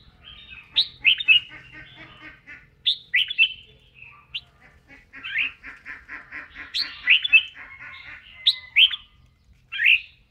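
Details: Red-whiskered bulbul practising its song while dancing, during voice training; lively series of loud, rich, swooping whistled notes in short bursts, some followed by softer buzzy trills, spread throughout with a faint low hum beneath.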